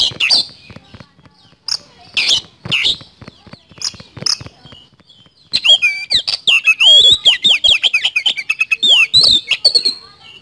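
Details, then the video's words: Oriental magpie-robin in full, lively song, styled as rapid 'nembak speed roll' delivery: softer, scattered chirps at first, then from midway loud, fast runs of high whistled and metallic notes with sweeping slurs, tumbling without pause. "Pancingan Kacer Gacor Nembak Speed Roll"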